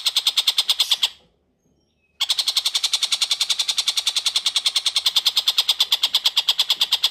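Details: Long-tailed shrike delivering strings of grating, evenly repeated notes, breaking off for about a second before continuing; a training recording for oriental magpie-robins.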